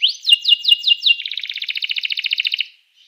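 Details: Canary song aimed at stimulating other canaries: several loud arched whistled notes followed by a rapid even trill lasting about a second and a half.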